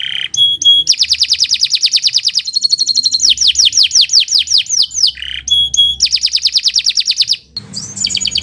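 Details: Canary tutor song, long and fast, for training other birds: alternating rolling trills and series of rapid downward-slurred whistles, with brief held tones between phrases.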